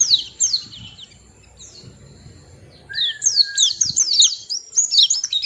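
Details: White-eye singing: rapid bursts of high, thin, downward-slurred chirps, with a brief lower slurred whistle midway and a faint low rumble beneath.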